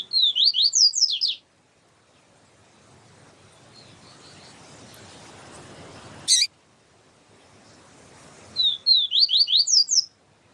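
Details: A yellow-bellied seedeater sings siu siu style while a female calls to stimulate it. A rapid series of high slurred notes opens, a single sharp chip sounds in the long gap, and then the whistled phrase repeats.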